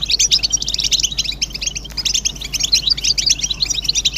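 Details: European goldfinch chorus used to encourage silent males to sing: busy, scratchy twitters and liquid chirps pour out in dense overlapping runs, steady throughout.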